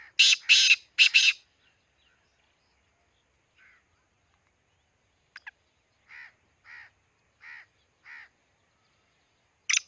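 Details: Harsh three-note phrase from a black francolin in Khushab, loud and rasping, followed after a pause by a string of softer, evenly spaced rounded calls and a final sharp note.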